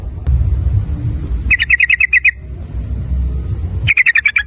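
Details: ['Rapid ropel-style song of a sooty-headed bulbul, used as a lure to get other bulbuls calling: a run of seven clipped, ringing notes in quick succession, then a gap and a second shorter burst, with low rumble beneath.']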